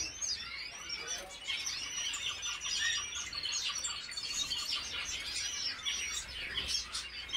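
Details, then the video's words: European goldfinch song: a fast, tinkling run of high twitters and liquid chirps, continuous and busy, with possibly other caged finches chattering alongside. "European Goldfinch"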